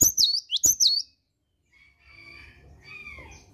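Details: Cinereous tit in the morning giving two or three quick, high whistled phrases, then silence and faint softer whistles in the background.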